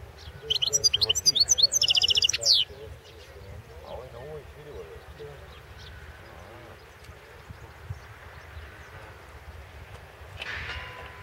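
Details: European goldfinch singing in a 2016 world championship goldfinch song competition recording: a quick burst of high, tinkling twitters and buzzy trills lasting about two seconds, then near silence with low background hum and a faint note near the end.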